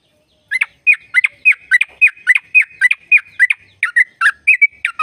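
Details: Long trilling song of a sooty-headed bulbul, used to get caged birds singing; after a short silence, evenly paced bright, gurgling notes run about two per second to the end.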